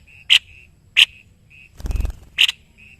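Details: Caged white-necked babbler tutor bird from Indonesia singing: three crisp high chips around a short low rattling thud, with a faint steady whistle running between them.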